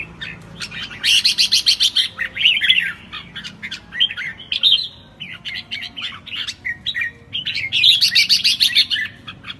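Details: Red-whiskered bulbul singing the classic "ché" song style: bursts of rapid, buzzy, chattering high notes, each several seconds long, broken by short gaps and brief whistled phrases. No other clear sounds.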